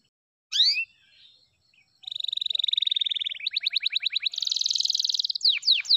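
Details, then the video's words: F2YS canary singing a long-duration song: a sharp upward note, a long steady buzzy trill, then a faster rolling trill, a high rattling trill and quick downward-swept whistles, with no other sounds. "DURASI F2YS GINI || PASTI SYAHDU LAGUNYA"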